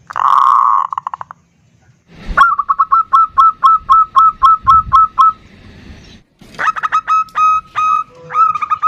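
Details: Female and local male zebra doves call back and forth, the female calling to a loud-voiced male. A short buzzy burst opens, then about a dozen quick, evenly spaced mid-pitched notes, a brief hiss, and another rapid run of similar notes.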